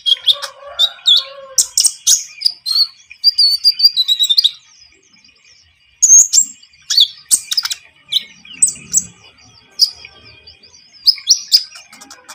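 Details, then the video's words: Javan munia in lively song, meant as a trapping lure: bursts of sharp, high chirps and thin descending squeaks, a quiet gap of about a second and a half, then renewed chattering notes. "MASTERAN KONIN GACOR SUARA ENAK COCOK UNTUK PIKAT/PANCINGAN"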